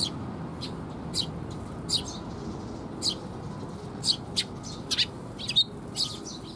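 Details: Newly fledged Eurasian tree sparrows fed by their parents on 6 May 2021: crisp high chirps and squeaky calls in irregular bursts, clearer and quieter background than elsewhere.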